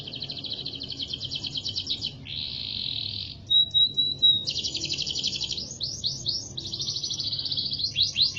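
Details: Canary master song used for training other birds: an unbroken run of high rolling trills and buzzy tours, a pure steady whistle near the middle, and quick rising sweeps toward the end.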